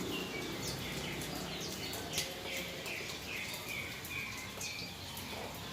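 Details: After a soothing rain-bath, a yellow-vented bulbul gives a string of short mid-pitched chirps spaced irregularly, roughly two or three a second, against a background of steady hissing spray and faint taps.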